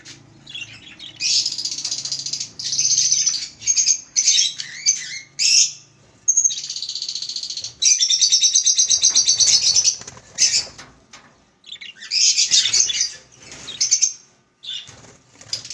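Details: Several pet budgerigars playing together, chattering with fast, high, warbling chirps and squeaky trills in bursts.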